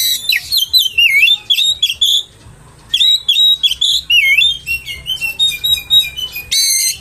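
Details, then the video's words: Oriental magpie-robin song used as a lure to provoke other magpie-robins into aggression: rich, varied whistled phrases with sliding notes and harsh chatters, a brief pause mid-way, then resumed rapid phrases. "PANCINGAN KACER!! terbukti kacer ANDA AKAN NGAMUK!!!!"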